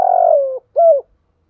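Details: Cooing of a decoy spotted dove, kept to stir other doves into cooing. A long, soft coo drifts gently downward, then a shorter, rounded note follows. The background is otherwise silent.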